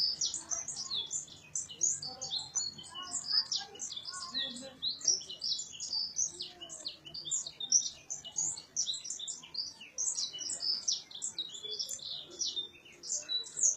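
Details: Birds singing at dawn near Gondar, Ethiopia, in 2017, recorded from a veranda in a residential area: a busy, unbroken chorus of sharp high tweets and quick trills, layered voices filling the whole stretch, with soft background rumble.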